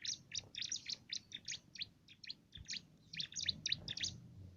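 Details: Bar-winged prinia with canary-flavoured song used to train competition birds: a brisk, high twittering chatter of rapid chirps, slightly louder toward the end, over soft low noise.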